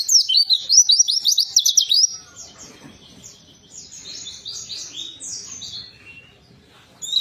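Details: Warbling white-eye singing, played to coax a silent white-eye into song. It opens with two seconds of fast, shrill, chattering twitters, then quieter, scattered high chirps, and a last bright burst at the end.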